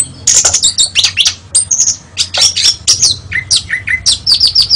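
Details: National champion Oriental magpie-robin delivering a dense, high-pitched song: buzzy chattering phrases, then sweet slurred whistles and a closing run of evenly repeated bright notes, over a faint low hum.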